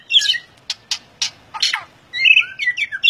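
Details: White-rumped shama singing vigorously in the ngeplong style: a burst of varied high chirps, three sharp clicking notes, then a run of rich whistled phrases swooping up and down.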